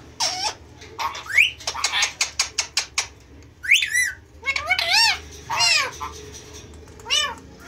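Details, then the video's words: Two male rose-ringed parakeets, talking pets, chatter in shrill, harmonic, speech-like phrases, with quick rising-and-falling screechy syllables and a burst of rapid clipped notes. "Two male ringneck talking very well"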